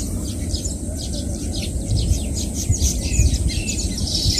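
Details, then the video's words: A group of Baya weavers giving a busy run of sharp high chips and sizzling chatter, closely spaced, over a strong low rumble of background noise. "தூக்கணாங்குருவியின் ஓசைகள் | Sounds of Baya Weaver Birds"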